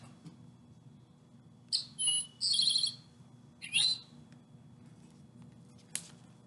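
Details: An Eastern Towhee, a bird that kicks in the leaves and adds soft hair to its nest, gives a quick run of high, bright notes, then a single rising, slurred note a second later, over a faint low hum.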